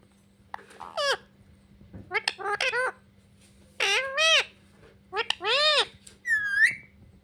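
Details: Talking pet parrot said to say "mummy papa": a string of arched, harmonic, voice-like syllables in quick groups, then a single high drawn-out squeaky note to finish, over a low constant hum in a small room.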